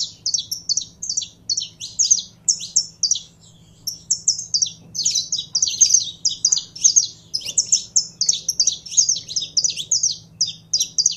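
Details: Caged saffron finch warmed up to sing, pouring out quick high twittering phrases of clipped, buzzy notes, a short silent gap near the middle, then dense bursts again over a low steady hum.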